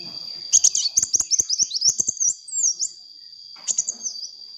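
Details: Sunbird, lively and in full voice, recorded for luring other birds: rapid high chirps and short twisting whistles in a fast run, a pause, then a brief second burst. A steady high tone and soft clicking sit underneath.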